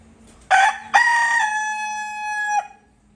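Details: Ayam Cemani rooster, an entirely black Indonesian chicken breed, crowing loudly: a sharp opening note, then a long sustained harmonic crow held for about a second and a half that ends with a brief drop, over faint background hum.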